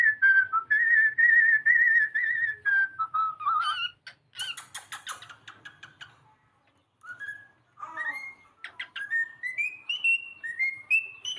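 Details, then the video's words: Pet cockatiel singing and playing indoors, with a series of clear whistled notes, some wavering and repeated, then rising whistled phrases, with brief harsh bursts in between and a low background hum. "cockatiel singing / playing"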